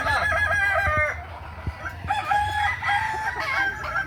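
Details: Kukuak Balenggek cockerels at a May 2024 crowing contest practice in Ampang Kualo, Kota Solok; two overlapping bouts of tiered, wavering crowing, with a brief lull near the middle and a low background drone.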